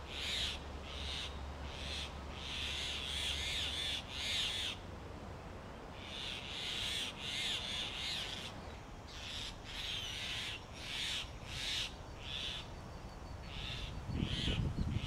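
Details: A male grey hornbill brings regurgitated food, berries and a lizard, to his nesting mate walled into a tree cavity, Delhi summer. Rapid runs of shrill squealing notes, several per second, break into clusters with brief gaps; a low rumble near the end.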